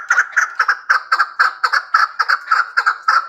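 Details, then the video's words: Hybrid chukar partridge: loud, clucking chuk notes repeated in a steady rhythm, several each second. "Кабки гибрид"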